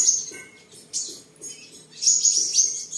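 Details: Seven-colour sunbird, a caged bird kept at home in Tân Phú, Đồng Nai, Vietnam, recorded 23 July 2022 while singing, displaying and sparring; sparse thin high twitters and short sharp chips separated by pauses, with a faint steady low hum.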